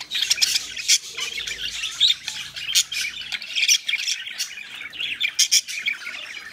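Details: A pair of pet budgerigars mating, with high twittering chatter and short harsh squawks coming in quick uneven bursts.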